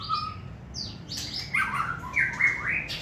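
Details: White-rumped shama, a caged competition-standard singer held in the hand, giving a quick varied phrase of clear whistles, rising and falling slurs and bright chirps over a steady low room hum.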